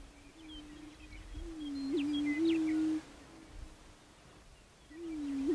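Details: {'caption': 'Low, droning hoots from a prairie chicken, one long moan with a small upward flick, then quiet, then another hoot starting at the end; faint high chirping from other birds.'}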